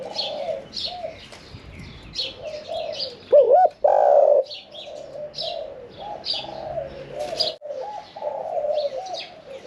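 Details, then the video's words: Spotted dove with a middle-pitched voice, caged for one year and four months and never taken to a decoy pen, sings 'khan yon 1 kuk'. One loud curling coo stands out among many overlapping low coos from nearby doves. "ฟังเสียงขันนกเขาใหญ่ { ขันโยน 1 กุก} ,{นกเสียงกลาง}"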